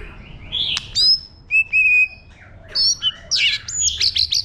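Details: White-rumped shama singing its forest-style song, used to stir up newly caught birds: a few clear sustained whistles with sharp clicks, a pause, then a dense burst of rich warbled and chattering notes.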